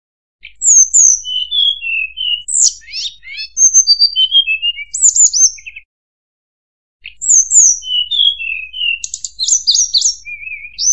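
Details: Tledekan gunung song played as a trapping lure: two bursts of fast, varied high notes, falling whistles, quick sweeps and stuttering clusters, with a pause of about a second between them.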